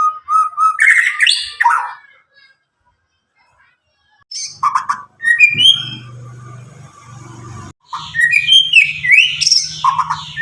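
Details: Young Medan-type White-rumped shama, about nine months old, never trained with recordings, sings to stimulate shamas that have stopped singing: bursts of rich whistles and chattering notes separated by a long pause, with a low steady hum behind.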